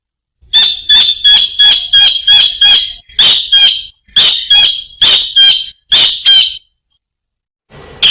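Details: Kingfisher (tengkek udang) in active voice, giving a long run of loud, rasping squawks, some in quick doublets, about three per second, with short pauses between bursts and a faint hiss at the end.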